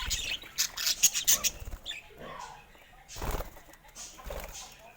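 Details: Pet budgerigars, colorful birds, giving rapid high chirps early on, then softer scratchy twittering mixed with wing flutters and low bumps.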